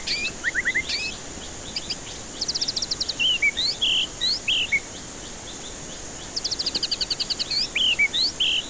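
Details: Lure song of white-rumped shama meant to stir stressed, silent birds into singing: high, rapid buzzy note series alternate with loud, clear whistled phrases that swoop up and down, repeated in two bursts.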